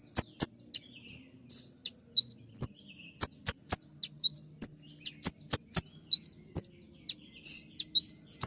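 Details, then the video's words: Kolibri ninja sunbird used as a training recording for cage birds, singing its sharp 'tembakan' shooting song. Very high, piercing chirps and clicks come in rapid bursts, with hooked whistled notes between sharp vertical ticks. Faint low hum underneath. "masteran kolibri ninja dengan full suara tembakan"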